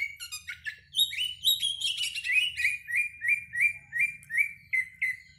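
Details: An Oriental magpie-robin's song, used as a lure to get magpie-robins singing before hanging for competition: mixed chirps and whistles, then rising, slurred whistled notes repeated about twice a second, over a faint low hum.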